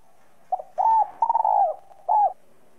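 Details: Spotted dove singing in the 'giọng còi' (whistle voice) style, a coo used to stimulate other doves to call: a short lead note, a steady coo, a stuttering rolling phrase, then one final coo, with a clean, quiet background.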